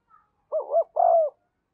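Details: Decoy spotted dove calling to attract wild birds: a double rounded coo followed by a longer, drawn-out falling coo, all low and mellow.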